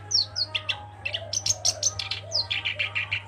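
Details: Black-browed reed warbler singing actively: rapid chattering phrases of high buzzy notes mixed with short downslurred whistles, the notes bunched in quick bursts, over a steady low hum.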